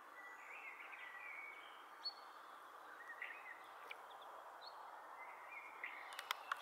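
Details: Mātātā, or fernbird, calling at Matuku Link: brief high chips and slurred notes spaced irregularly, with a few sharp clicks near the end, over a constant broadband background hiss.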